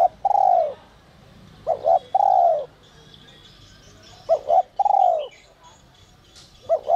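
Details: Spotted dove gives whistle-voice coos used to make newly caught doves call: a doubled short note followed by a long drawn coo, repeated steadily, with faint chirping of other birds.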